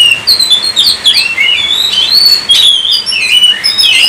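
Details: Oriental magpie-robin, locally kacer, singing gacor to prompt other birds: sweet whistled notes that slide up and down, mixed with sharp high chips in quick succession.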